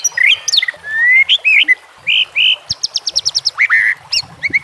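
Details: Shama song in a training recording: rich rising whistles and slurred notes, then a fast rattle of short high clicks, followed by chirps and whistled phrases.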